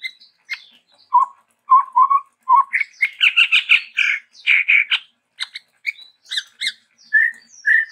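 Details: Chestnut-rumped babbler, a bird endemic to Sumatra, singing lively with variations: harsh buzzy chattering notes mixed with low, pure whistled notes, often paired, with a dense run of rasping notes in the middle and clean whistles at the end.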